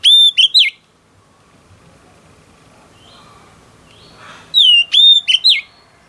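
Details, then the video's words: Wild-caught female oriental magpie-robin singing to stir up males: two short bursts of clear, upslurred whistles with sharp chirps, separated by about three seconds of quiet with faint background murmur. "Choè than mái bổi lên giọng hót kích trống cực chất"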